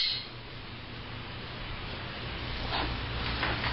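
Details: Steady hiss and a low engine-like hum fill the recording, with a couple of faint soft bursts near the end and no animal calls.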